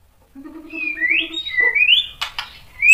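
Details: White-rumped shama song played to provoke other shamas: a series of low, soft repeated notes under rising and falling whistled slurs, ending in sharp clicks and a bright upward whistle.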